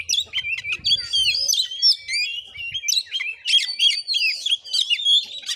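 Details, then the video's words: Oriental magpie-robin in fighting mode, recorded during a song test at a house in Padang Gading, Muko Muko, Bengkulu, Indonesia. Rapid, varied high whistles, slurred rising notes and harsh chattering bursts pour out continuously, with faint low thumps early on. "Kacer tarung|pancingan Kacer gacor|Kacer Konslet|burung Kacer"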